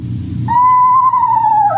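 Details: In fall, an Eastern Screech-Owl gives its whinny call, likened to a tiny horse in a tree: one clear, high, drawn-out note that holds steady then drops at the end, after a brief low rumble.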